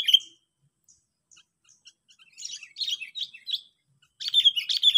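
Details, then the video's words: Sooty-headed bulbul lure call meant to make rivals back down: one sharp chirp, a quiet gap, then bursts of bubbly, rising-and-falling notes that grow into a lively chatter near the end. "Bikin lawannya Ciut,Suara Ambisi pikat memanggil"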